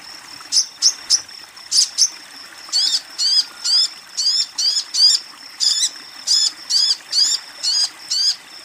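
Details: A female sogon calling a male sunbird. A few quick, sharp, high chirps give way to a long, steady series of harsh, buzzy downslurred notes, repeated roughly three times per second.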